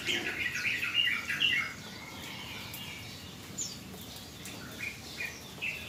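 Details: Yellow-vented bulbul, a 'bahan' (untrained) bird, heard after a rain-bath meant to calm it: a quick burst of liquid, chattering notes for just over a second, then a few scattered soft chirps against faint hiss.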